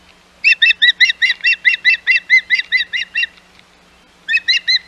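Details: Osprey at the Hog Island nest during an intrusion by other ospreys, 11 May 2021: about fifteen rapid, slightly downslurred whistled notes, a brief silence, then three more.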